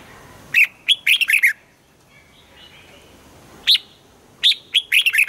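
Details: Red-whiskered bulbul singing its morning song in the double-note style (âm kép) prized in mature wild-caught birds, used to train singing. Two bursts of quick, bright, warbling notes are separated by a quiet gap of about two seconds.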